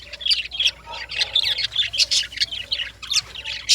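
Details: Lovebirds calling in the morning: a busy overlapping chorus of shrill squeaky chirps and short harsh squawks, with no pause.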